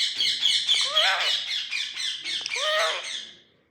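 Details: A green Indian ringneck parrot that talks in Gujarati speaks in a high, nasal, buzzy voice: a run of slurred, word-like syllables with rising and falling tones, lasting about three seconds.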